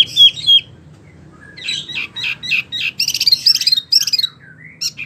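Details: Energetic Wambie mini song opening with two downslurred whistles, a pause, then a lively, quick series of clipped chirps and ringing notes with brief trills.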